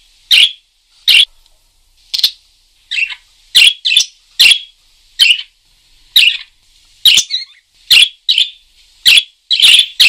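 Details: A lively parakeet giving sharp, scratchy chirps roughly once a second, about fourteen short bursts, some doubled, with faint chattering between them and a clean, quiet background.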